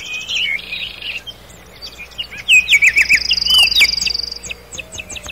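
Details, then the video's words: Nightingale song in a forest at night, opening with a buzzy note run, then a quick series of loud whistled chirps and a high thin trill, with a low hum in the background. "How beautifully the nightingale sings"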